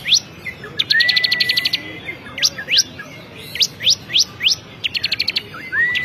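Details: Lively song from a champion bar-winged prinia: a rapid volley of high pips, a sustained level whistle, then a string of steep upward-swept notes about every half second, further fast pip bursts and a closing rising whistle.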